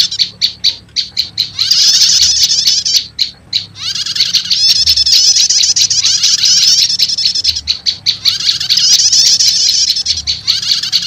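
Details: Lure mix of two prinia kinds, prenjak lumut and prenjak setater, used to summon wild birds: series of sharp separate chirps alternating with three long, loud, high buzzy trills.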